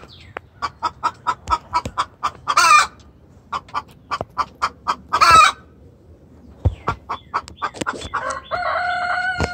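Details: Hen distress call to the rooster: runs of rhythmic sharp clucks punctuated by two harsh squawks, ending with a drawn-out, tonal, wavering cry.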